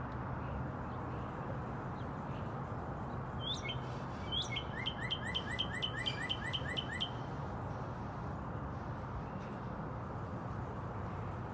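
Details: Red bird, a northern cardinal, singing in Texas: one slurred note, then a quick series of about ten sharp, downslurred whistles over three seconds, over steady low rumbling background noise.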